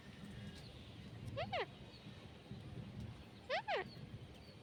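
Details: Parrot giving two loud, harsh screeching calls about two seconds apart. Each is a quick doubled note that sweeps up and then down, set against a steady low background murmur.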